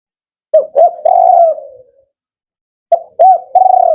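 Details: Male spotted dove of the 'Kuk 4' type, prized by bird keepers for its firm, rhythmic voice; two low cooing phrases, each two short rising notes followed by a longer sustained coo, with a quiet pause between.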